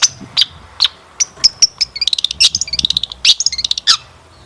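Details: Long-tailed shrike song used to prompt birds into singing, with scattered high whistled chirps giving way to a dense, rapid burst of sharp clicking and chirping notes.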